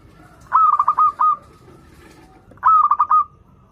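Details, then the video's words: Sweet-voiced local zebra dove, played to coax doves learning to sing. Two warm, quavering coo phrases of rapid pulsed notes, about two seconds apart, with a faint murmur in between. "PERKUTUT LOKAL GACOR Suara Merdu || pancingan paling disuka perkutut yg belajar manggung"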